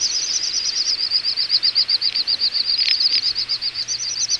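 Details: Little bustards in a large wintering flock, Ag-Gol National Park, Azerbaijan, November 2014: steady high-pitched whistling pulses, roughly four a second, continuous throughout, with faint soft thuds.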